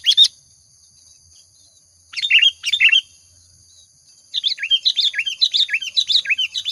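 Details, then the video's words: ['Lure recording of a lively Sooty-headed bulbul: short, sharp chirped phrases, then a pause, a pair of quick phrases, another pause, and a rapid run of looping, bouncing notes, over a thin constant high hum.'] "Suara Pancingan Burung Kutilang Gacor"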